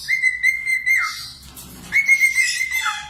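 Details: Very vocal budgerigar for cockatiel song training gives a long steady whistle that dips down, then a soft scratchy pause, then another level whistle ending in a low slurred note.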